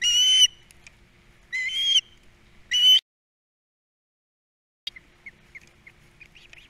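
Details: Three young ospreys in a Captiva nest during feeding time, 2022; three strong whistled bursts about a second apart, each slurred and ringing, followed by soft scattered chirps trailing off.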